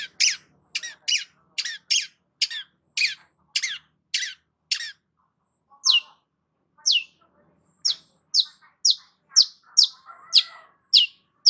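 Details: Energetic Long-tailed shrike delivering a fast run of rasping downward-slurred notes, about two a second, then a brief pause and another string of harsher, scratchy chirps.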